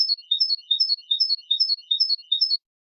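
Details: European goldfinch clean training song, Málaga 2020: a steady rhythmic twitter of high descending note groups, repeated about two and a half times per second for over two seconds.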